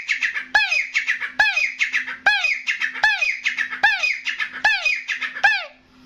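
A Grey Francolin gives loud, harsh, squealing notes with sweeping tones, roughly one per second in a quick run, over a steady low electrical hum.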